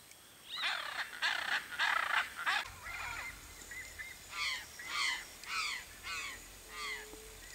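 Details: Hyacinth macaws searching for food such as coconuts and seeds in riparian forest: a series of harsh, honking squawks, several in quick succession, then spaced repeated calls about every half second to second, fading somewhat.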